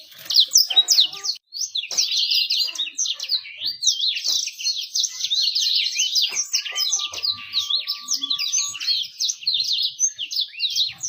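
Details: Long, rapid, high twittering song with steady chattering phrases and a thin sustained tone partway through, played as a lure to make birds sing quickly and attract females.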